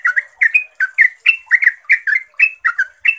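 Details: Yellow-vented bulbul, a lure recording meant to make other bulbuls answer, delivering a fast, energetic stream of gurgling, liquid double notes, each pair swooping up and down, packed closely together.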